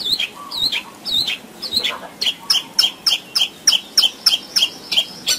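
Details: Long-tailed shrike 'gacor' song with fillings, played as a training recording for birds that are slow to sing: chattering rasps at first, then a fast regular run of sharp high chirps, about three or four each second.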